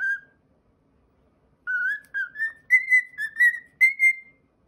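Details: A pet cockatiel whistles a brief note, falls silent, then delivers a lively phrase of seven or so clear whistles stepping upward, ending on a held bright note.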